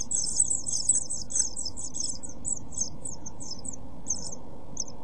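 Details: Seven-day-old pied flycatcher chicks in a nest box with camera, 23 June 2012: a loud flurry of high, twittering cheeps that gradually breaks into sparser single chirps, above a steady low hum.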